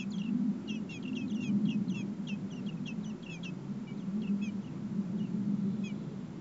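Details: Four Common blackbird nestlings in the nest, being fed by both parents in heat above 30 °C, give thin, high, squeaky begging notes in quick bursts over a steady low rumble.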